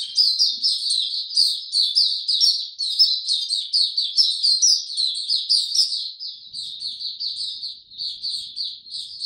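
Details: White-eye singing on 26 March 2022 amid warm, very humid weather: a long, unbroken, high-pitched warbling chatter of rapid chirps rising and falling in quick pulses, softening slightly near the end.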